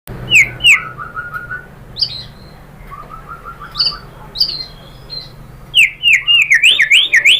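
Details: White-rumped shama (murai batu) song used as a lure to provoke singing: clear whistled notes and short repeated phrases of rapid descending pips, ending in a loud burst of sweeping whistles.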